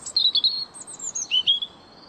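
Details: European robin singing: a short phrase of thin, high whistled notes that slide and waver, bright pure tones, then a lower sweeping whistle, over quiet background hiss.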